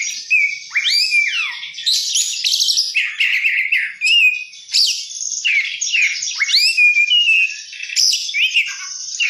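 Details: Energetic oriental magpie-robin song: repeated phrases mixing sweeping downslurred whistles, rapid buzzy trills and clear mid-pitched notes, each phrase lasting a few seconds and recurring with variation.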